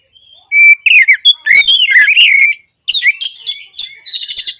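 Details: Orange-headed thrush singing rapidly, used as therapy for mute birds: a clear whistle leading into a loud tumbling medley of slurred whistles and scratchy notes, a brief pause, then more fast chattering phrases.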